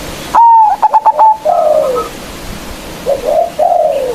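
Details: Zebra dove of local stock, used to call out rivals, gives one loud phrase, a clear held note dissolving into quick stuttering pulses, then two lower, softer warbled coos that slide downward.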